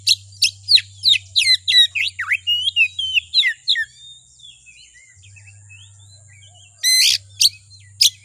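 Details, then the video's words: Oriental magpie-robin (kacer) provocation song to excite another kacer: a long, fast series of sharp falling and rising whistles and twangy notes, trailing into softer warbles, then a few loud harsh bursts, over a continuous low drone. "Suara Pancingan Kacer Agar Cepat Emosi Gacor ! Pancingan Paling Ampuh Buat Menaikan Emosi Kacer"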